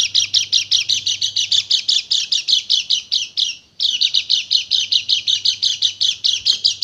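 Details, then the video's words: White-eye (pleci) singing a fast, high chatter of sharp chirps, about six a second, with one brief pause midway, over a faint low hum. "PANCINGAN PLECI MACET BUNYI JADI EMOSI DAN GACOR"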